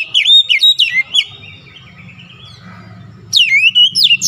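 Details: Oriental magpie-robin in varied song, quick series of slurred whistles repeated several times, a quieter stretch with low background hum, then a fresh burst of high sweeping notes.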